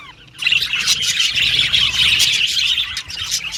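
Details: A group of budgerigars chirping and chattering together: a dense, continuous wash of high, scratchy twittering and short squeaky notes, with low background rumble.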